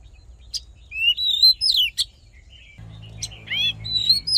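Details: Oriental magpie-robin fighting song used for voice training and to rouse males into fighting form: clear whistled phrases, rising and falling slurs with sharp high clicks, delivered in bursts separated by short pauses, with a low hum beginning partway through.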